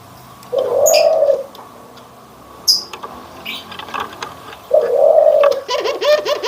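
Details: Cooing dove, from a comparison of white and brown doves: two drawn-out hollow coos about four seconds apart, with scattered chirps and clicks between them and a burst of short notes at the end.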